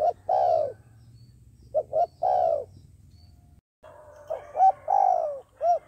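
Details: Decoy dove for trapping, cooing with short clipped hoots followed by longer falling coos; a brief gap, then a brighter, more nasal phrase of similar low notes.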